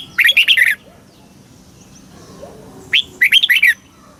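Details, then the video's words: Thai red-whiskered bulbul singing a southern master-style phrase meant to rouse caged birds and train chicks: two short, lively bursts of rich, bubbling whistled notes about three seconds apart, with faint soft chirps in between. "เสียงนกกรงหัวจุก สำหรับต่อ หรือ เปิดให้นกคึก เสียงเพราะๆ"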